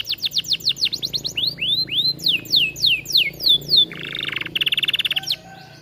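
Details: Energetic Atlantic canary song for training other birds: a long run of repeated, evenly spaced downward-sweeping whistles speeding up, then a harsh buzzy rattle and a fast pulsed trill at the end.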